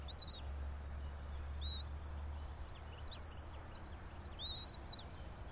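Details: Bald eagle pair at their nest about 90 feet up a pine, Johnson City, Tennessee, nest camera, 06:28 on 04.03.2024: four high, arched whistles about one and a half seconds apart, with a low hum that fades halfway through.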